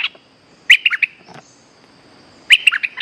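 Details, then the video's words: Calls of a streak-eared bulbul played to lure an escaped caged bird: two quick bursts of bright, clipped chirps about two seconds apart, with a faint rustle between them and a constant high insect whine behind. "เสียงต่อนกกรงดอกแตงEp.195 /1 ภาระกิจต่อนกหลุด ตัวนี้ว่าเด็ด!! Suara pikat merbah lekir gacor"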